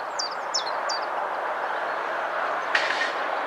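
A common chiffchaff gives three high, sharp notes in quick succession, about three a second, over a steady roar like passing traffic or a train.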